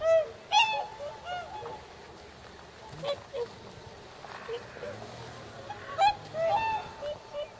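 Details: Whooper swans on a Nagamine pond in Nishiyama-machi, Japan, nearly 300 birds present before the northward migration; clear bugling honks open and close the passage, with quieter scattered calls from the flock between them.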